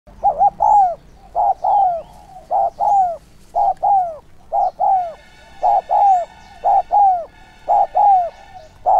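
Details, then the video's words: Decoy spotted dove with a sharp, urging voice used to lure wild doves, giving rapid three-note cooing phrases: two short hooting notes and a longer falling coo, about one phrase per second. Fainter harmonic calls join in the second half. "Chim cu gáy mồi giọng SON chuẩn THÚC và GÁY GỌI kích bổi nhanh nổi hiệu quả"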